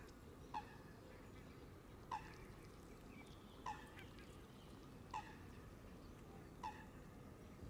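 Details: Canada geese, a flock feeding on green grass at the water's edge around a camera left running: five short nasal honks spaced about every one and a half seconds, over a steady low rumbling background noise.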